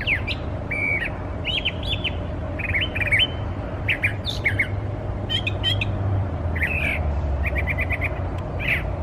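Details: A brown thrasher (Toxostoma rufum) sings a run of varied, chirpy phrases, some quickly repeated, including imitations of American robin, northern flicker, red-bellied woodpecker and red-winged blackbird, over a steady low rumble of wind or distant traffic.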